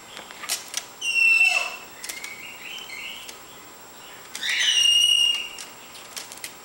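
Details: A pet lorikeet playing clumsily on a coffee table gives two bursts of harsh, screechy chatter mixed with high, thin whistles, each about a second long, with softer squeaks between.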